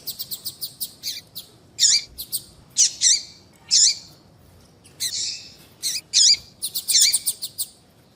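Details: Female papa-capim seedeater calls used to warm up singing males: a quick burst of ticks, then loud high chirps with dipping tails, repeated about once a second alongside softer clicks.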